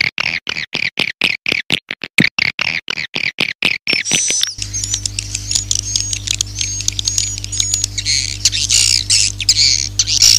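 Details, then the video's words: Swiftlet lure call for attracting swiftlets: opens with a rapid series of sharp, evenly spaced clicks, then shifts to dense, high, buzzy twittering chirps over a steady low electrical hum. "suara panggil burung walet"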